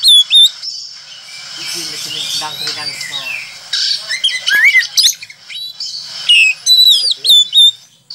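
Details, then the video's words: Oriental magpie-robin in lively song, mixing loud sharp whistled upslurs, buzzy chatter and rapid varied phrases in uneven bursts, with brief pauses and a steady high hiss behind. "SUARA BURUNG KACER GACOR"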